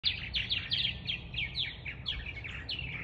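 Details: Purple martins on April 11, 2022 chatter with quick, overlapping, downslurred chirps, several each second, over a low steady rumble.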